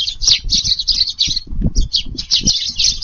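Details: Sparrows feeding in a garden one windy July evening; bursts of rough, high chirps in quick runs, a brief pause mid-clip, with gusty low wind noise.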